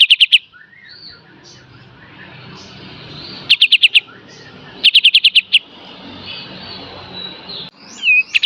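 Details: Olive-winged Bulbul, known locally as kapas tembak, in 'full beset dan tembak' master song for training songbirds: short volleys of four or five rapid sharp ticks repeated every second or two over a low hiss.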